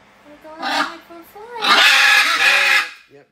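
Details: Free-flying pet macaws indoors in the morning: a short harsh raspy squawk, then a longer, loud, grating scream lasting over a second, with a man talking calmly over and between the calls.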